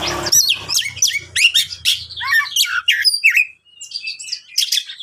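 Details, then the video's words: Oriental magpie-robin, a champion bird whose song is played to provoke other magpie-robins into rage: a loud, fast, varied run of sharp whistled, rising and falling notes and chirps with a brief pause, and low thumping noises early on. "Awas Kacer Ngamuk,Cukup Putar Satu Menit Kacer Langsung Konslet dengar Suara Kacer juara ini"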